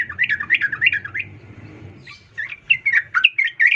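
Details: Female sooty-headed bulbul calling the male; a fast series of bubbly, wavering notes, then a brief lull and more scattered chirps, with low rumbling behind.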